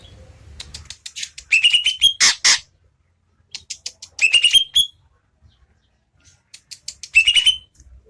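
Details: Greater green leafbird song of rapid ticking notes building into bright whistled phrases, repeated three times, with a loud rustling noise early on.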